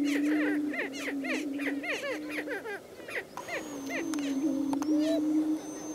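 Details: Greater prairie-chicken males displaying on a lek, with a continuous low moaning hoot beneath rapid, looping cackles and whooping calls, dense at first, thinning midway, then resuming.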